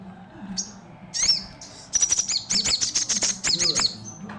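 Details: Javan cochoa singing at full strength: scattered high whistled notes build into a fast, uneven run of piercing chirps and trills. A faint low hum sits in the background.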